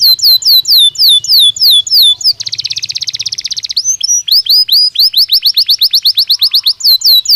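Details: Belgian canary in natural song, alternating tours: crisp descending whistled notes, then a dense buzzy rattle, then a rapid run of rising, upswept notes, all loud and close.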